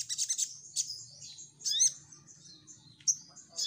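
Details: High, thin chittering from a crimson sunbird used as a lure to prompt replies, a quick burst at the start followed by sparse sharp chips and slurred notes.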